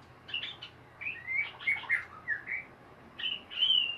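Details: White-rumped shama in ngeriwik song, a melodious chattering style: clustered sharp whistles and upslurred notes in short bursts, ending with a longer bright whistled phrase.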